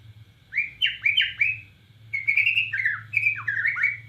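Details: Borneo white-rumped shama singing actively, 'nembak cililin' style: quick clusters of clear whistled notes, some rising, some dipping, in two bursts over a constant low background hum.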